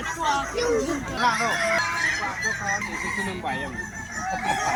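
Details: Overlapping long, multi-step Kukuak Balenggek crows ring out at a West Sumatra crowing competition, mixed with clucks, laughter and a noisy audience.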